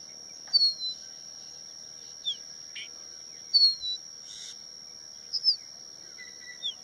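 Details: Crested bunting calling along Haidakhan Road: short, bright, downward-slurred high notes and brief chips spaced a second or more apart, over a steady high-pitched insect drone.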